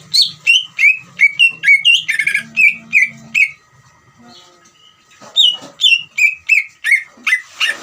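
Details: Greater green leafbird ngeriwik trill, used to provoke rival leafbirds into singing: long runs of sharp falling whistles about three per second, a buzzy patch, a brief pause, then more of the same notes.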